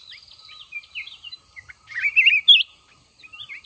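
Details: In a decoy fighting trap, a caged mountain red-whiskered bulbul gives a few soft chirps, then a loud rolling, wavering whistled phrase followed by quieter notes.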